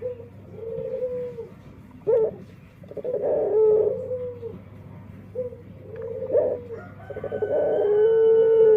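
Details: Unusual-sounding male dove giving a series of soft warbling coos that grow louder, finishing with a long, steady, ringing tone rich in overtones.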